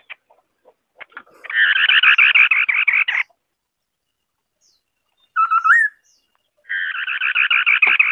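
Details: Scimitar babbler song with two long runs of rapid, buzzy repeated notes broken by a brief rising hooted phrase, with faint clicks before the first run.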